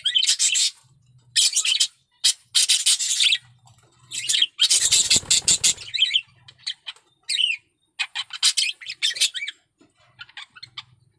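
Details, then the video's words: Budgerigar male in strong breeding heat giving fast, scratchy warbling phrases broken by brief silences, with squeaky rising notes near the end. "Suara Burung Parkit Jantan || BIRAHI PARAH"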